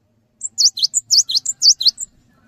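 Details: Song of a cinereous tit meant to stimulate other tits, a short burst of high, sharp, V-shaped chirps alternating with thinner notes, around ten notes within one and a half seconds.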